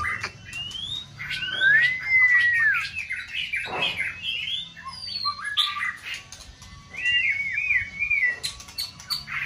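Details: White-rumped shama, in its brilliant peak season, urged into multi-faceted competitive singing; rich looping whistled phrases with trills and wavering notes, sharp clicks and a brief hissy burst partway through.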